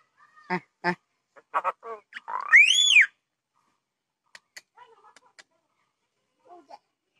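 A common myna gives a quick run of harsh clicks and chattering notes, then a loud rising-and-falling squawk, followed by scattered soft clicks.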